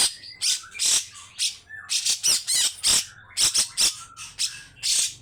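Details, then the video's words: Loud, harsh bursts of song from a grey-cheeked bulbul, kept as a cage bird, delivered in rough, long phrases; dense broadband chattering notes and squawks follow in quick succession over about five seconds. "Cucak Jenggot Mewah \\ 🔴besetan kasar kasar panjang bikin burung bangun"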